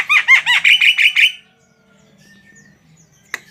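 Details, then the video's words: Javan myna delivers a rapid burst of nine looping, buzzy chatter notes in gacor style, then falls silent apart from one sharp click near the end. "SUARA BURUNG JALAK KEBO GACOR"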